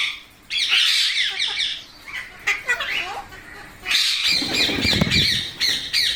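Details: Parrot gives bursts of harsh, high squawking, with a low rumbling noise mixed into the later part.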